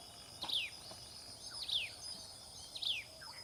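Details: Common tailorbird bringing food to its young; bright downslurred chirps repeat roughly every 1.2 seconds, one faint lower note between them, over a constant shrill buzz of insects.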